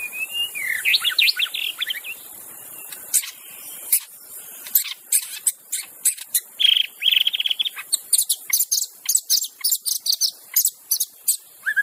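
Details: Wild white-rumped shama singing, used to lure other shamas into song: rich whistled phrases with rising and falling notes, then a fast run of sharp clicking, ticking notes repeated through the phrase.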